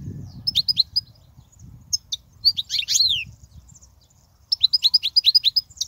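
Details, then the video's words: European goldfinch song for teaching young goldfinches: rapid series of crisp, high chirps, a tumbling burst of liquid twitters in the middle, then another quick run of repeated chirps near the end. "تغريد الحسون"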